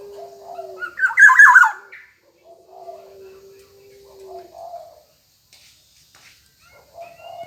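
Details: Black-naped oriole singing steadily. It opens with a loud, rasping burst of looping whistles, then gives quieter, mellow warbled notes at intervals over a faint sustained low hum.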